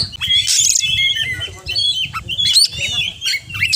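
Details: Oriental magpie-robin singing slower full-isian phrases: drawn-out clear whistles, a brief high buzzy burst and short rising squeaks separated by small gaps, set against quiet low music.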